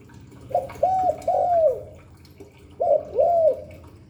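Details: Spotted dove cooing in the Hạp Bổi style, two phrases of a clipped opening note and a longer, smooth arched coo, separated by a short gap and low hum.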